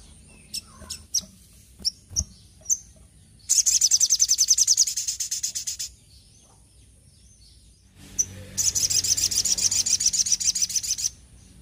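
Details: Little spiderhunter in lively song: several separate high sharp notes, then two long fast series of piercing high chips, each lasting about two to three seconds, over a faint steady background hum.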